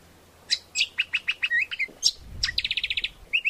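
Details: Greater green leafbird song for luring and tutoring birds, with spaced slurred whistles and a sharp rising note, then a quick chattering burst and short whistled phrases.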